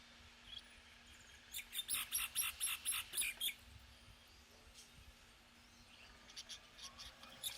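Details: Common myna producing a quick burst of about eight squeaky, grating notes, evenly spaced, followed by quieter scattered chirps and a steady low hum in the background.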